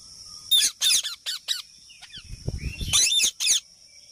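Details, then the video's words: Parrot calling in quick harsh squawks and chirps, several loud bursts, a short pause with a low rumbling noise, then more rasping squawks. "Parrot Sound"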